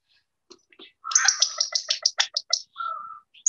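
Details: California Quail, introduced species common on Salt Spring Island, visiting yard feeders: clocking call, a quick burst of about a dozen sharp clucking notes over a second and a half, then a short whistled note.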